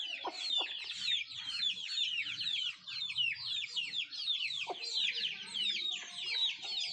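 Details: Native chickens while feeding give rapid, shrill downward-sliding peeps, roughly two per second, many birds calling at once over faint low scratching and pecking taps.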